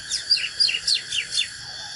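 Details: Oriental magpie-robin in fired-up fighting song, duelling with wild birds: a fast run of clear, high whistles, each sliding downward, about five notes in under two seconds, with no other sounds.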